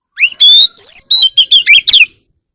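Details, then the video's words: Oriental magpie-robin singing in the morning: a rapid phrase of clear whistled notes, starting with a rising slur, then a long steady whistle and a quick run of sharp, varied chirps lasting about two seconds, against a silent background. "Birds singing in the morning || Chòe than hót múa"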